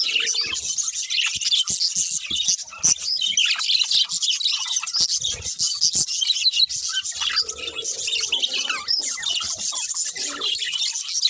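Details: Budgerigars in a flock keep up continuous high chirps, warbles and short squawks, a tangled overlapping chatter with occasional soft knocks in the background.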